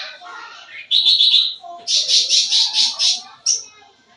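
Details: Sooty-headed bulbul's full-isian song, used to lure young birds: a short trilled phrase, then a series of six loud pulsed buzzy notes and one high whistled note over faint background chatter.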